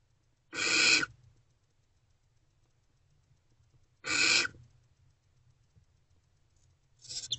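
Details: Wild barn owls in a nest box, early morning hours of 28 February 2024, food being delivered: two rasping, breathy screeches about three and a half seconds apart, with the start of a third at the end.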